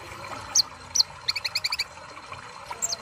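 An olive-backed sunbird gives thin, high chirps, then a fast run of about eight sharp tweets in half a second, over soft background hiss.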